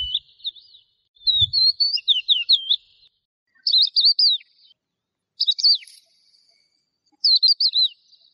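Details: Skylark singing in bursts of high, rapid, twisting warbled phrases separated by short silences, with a couple of soft low knocks near the start.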